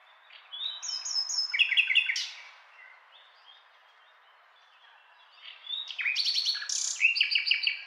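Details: Nightingale song in two bursts: a repeated whistled note building into a loud, fast rattle, a quiet pause of about three seconds, then a bright stuttering trill with high sharp notes.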